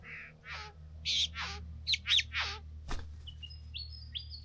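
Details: Young bowerbirds at their bower, excited over blue objects; a series of short raspy, buzzy notes and a couple of brief rising chirps, a sharp click, then thin high whistled tones fading out.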